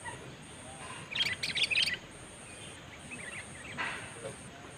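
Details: Sooty-headed bulbul used as a lure bird, facing a rival bird: a short burst of chattering, bubbly notes lasting under a second, half masked by field noise and a steady high electronic whine.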